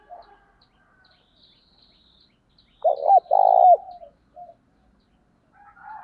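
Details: Spotted dove used as a decoy, luring and calling. One loud coo phrase of short low notes followed by a longer throbbing coo, with faint softer cooing before and after.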